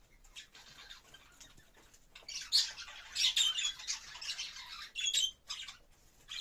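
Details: Mating budgerigar: a quiet start gives way to a dense, scratchy warble of rapid squawks and clicks that swells in loudness, then breaks into separate harsh notes near the end.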